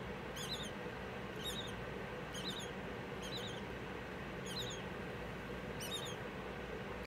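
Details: A five-day-old rubino Bourke's parrot chick being fed gives thin, squeaky, high-pitched begging peeps in short bursts about once a second, over a steady background hiss.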